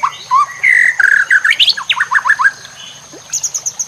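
A white-rumped shama pours out rich, varied whistles, then quick rising notes, and ends with a run of five high, sharp notes.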